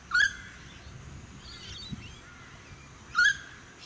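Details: Noisy friarbird in suburban Sunshine Coast, Queensland, May 2018, giving two short, grating call notes about three seconds apart, with softer bird twitters and wind between them.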